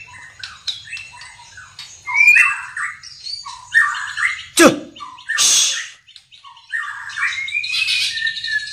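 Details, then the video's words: White-rumped shama arranging its song, with rich warbled phrases broken by a sharp click and a harsh rasping burst partway through. "Burung Murai Pastol Menyusun Lagu"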